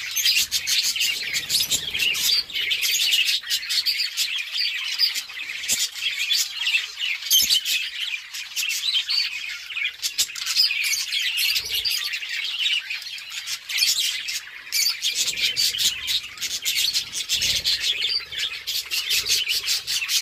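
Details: A flock of budgerigars (Melopsittacus undulatus) chirp and chatter continuously while eating, a busy, scratchy chorus.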